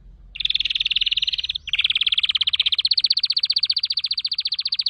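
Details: Canary song consisting of an extended, loud, very rapid rolling trill, briefly broken, then resuming slightly higher and growing more pulsed.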